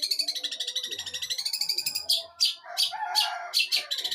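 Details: Eight-month-old long-tailed shrike of Jember, East Java, in mimicry song: a fast buzzing rattle lasting two seconds, then separate harsh scratchy bursts with lower chattering notes beneath.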